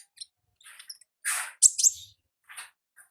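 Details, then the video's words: Olive-backed sunbird singing wild in ngalas style, with faint high ticks, then a loud harsh burst followed by bright sharp twitters and softer trailing chips. "Suara Asli Ngalas Konin Ninja di Alam Liar"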